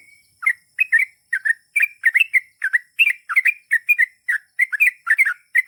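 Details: Gacor trucukan, or Yellow-vented bulbul, pouring out continuous long ropel song: rapid chattering pairs of bright bubbly chirps with almost no gaps.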